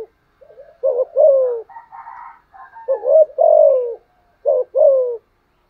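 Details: Spotted dove kept as a decoy, with a 'giọng thổ' voice, cooing persistently. Rapid deep cooing phrases with falling tails repeat back to back, and soft higher twittering notes fill the short gaps.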